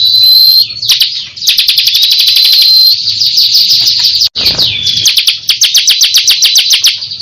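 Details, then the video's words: Lively song of a champion ciblek kristal: fast metallic chattering trills and crisp repeated ticks, interrupted by a brief dropout, then long runs of rapid clicking notes with a drawn whistle near the start. "Ciblek kristal gancor (juara burung )"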